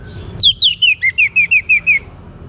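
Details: Young orange-headed thrush from Singaraja, Bali, singing to prompt other birds: a quick run of about nine clear slurred whistles, each dropping in pitch, delivered evenly in under two seconds against a quiet low rumble.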